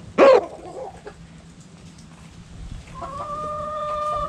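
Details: Chickens in a backyard coop, hens and roosters: one loud sharp squawk, a quiet stretch, then a long steady harmonic drawn-out call held for over a second.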